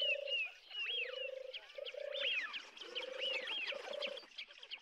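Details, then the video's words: European turtle dove purring low, rolling 'turrr' phrases in quick succession at RSPB Frampton Marsh, recorded from the car park on 26 July 2020, over a busy chorus of higher twittering songbirds. "European Turtle Dove"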